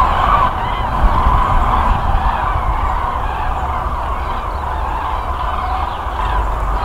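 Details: A flock of Common Cranes gathers over Bad Hersfeld, Germany, on 4 November 2020, before flying to winter quarters. The birds give loud, overlapping trumpeting calls in a constant chorus over a steady low rumble of wind or distant traffic.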